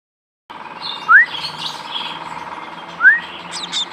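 Young munias give thin, rising chirps about two seconds apart, heard over a steady hum and soft background chatter.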